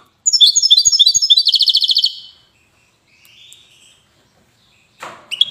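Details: European goldfinch, Widani song style, recorded in Safi: a two-second phrase of sweet twittered notes speeds into a rapid, even high trill, then a soft fading tail and a short chirp after a pause.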